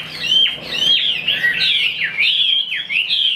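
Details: Fully tame caged Chinese hwamei, offered for sale, singing freely as its cage is moved: a rich, fast run of high, slurred whistles sweeping up and down, varied and continuous.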